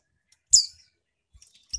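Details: Female Mountain White-eye kept in a cage in Malang, East Java, giving a single piercing high note that slurs downward into a brief twitter, used to stir males into singing; soft clicks follow.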